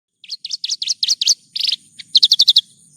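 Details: Branjangan (bush lark) song in a one-hour nonstop tutor recording: quick series of sharp, high chirped notes, some in rapid trills, with a faint steady high whine in the background.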